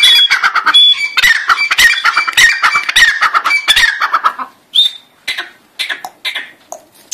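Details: Loud harsh, clucking Grey francolin calls pour out in a rapid jumbled series for about four seconds, then thin to a few scattered sharper notes with short gaps.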